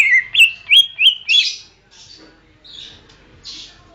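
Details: Greater green leafbird song used for training: four loud bright chirped whistles in quick succession, each with a sharp click, followed by a few soft breathy rasps.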